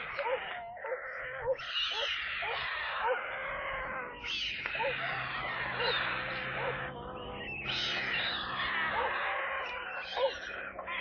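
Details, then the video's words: White stork chicks at a nest in Kaluga Oblast, Russia, on 28 July, being given water: overlapping hoarse, mewing calls with harmonic bands, rising and falling in dense bursts almost without a break, plus low steady hum beneath. "Доставка воды аистятам"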